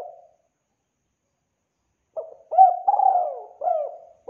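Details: Spotted dove call used as a trapping lure, clear and clean: a trailing coo, a pause, then a phrase of short hooked notes building into a longer mellow coo.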